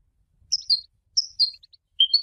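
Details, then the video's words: European goldfinch singing, likely a kept bird after its moult: sharp high whistled notes in pairs, dropping slightly, repeated in three short bursts with quiet gaps; no other sounds. "Symphony in song - super goldfinch singing"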